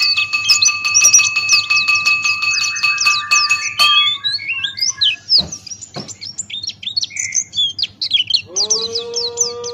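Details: Buxtoni white-eye tutor recording in 'ngalas' open-beaked style: quick high twitters over steady harmonic tones, then scattered sharp chirps and clicks, ending beside a low rising tonal hum.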